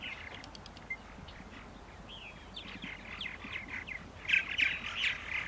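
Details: Purple martins at 8:30 AM on April 14, 2012, in Center Moriches, Long Island: soft chirps and one rising, whistled note, building to a louder cluster of bright, gurgling calls near the end.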